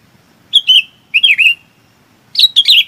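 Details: Three brief phrases of liquid, gurgling chirps from a sooty-headed bulbul calling its flock, each slurring downward, the last a little higher and more jumbled.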